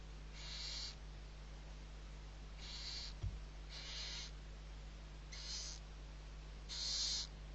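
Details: Owlets of barn owl, six being fed, Riet Vell reserve on the Ebro Delta in Spain, 21-11-23: five rasping hiss bursts in a row, each under half a second, irregularly spaced, against a steady low hum.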